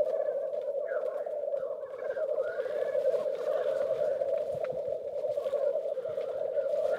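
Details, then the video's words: Competing black grouse roosters at a lek in northern Västmanland, Sweden: a continuous low bubbling hum runs unbroken for seven seconds, overlaid by faint rising and falling warbles and a few soft, scattered clicks. "Black Grouse games."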